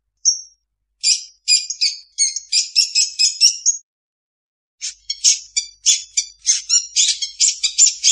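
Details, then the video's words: Long-tailed shrike imitating other birds in a varied song: one short high whistle, then fast metallic tinkling chatters, a brief silence, and another run of bright, rapidly repeated notes. "Suara burung cendet mp3 banyak isian"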